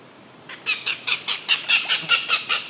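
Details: Northern goshawk parent disturbing a peaceful pond, recorded 31 May 2018: after half a second of quiet hiss, loud harsh cackling notes ring out in a steady series, about five each second.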